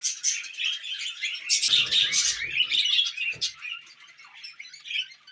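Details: Happy tame budgerigars and cockatiels chatter together in a busy stream of warbles, chirps and sharp whistles.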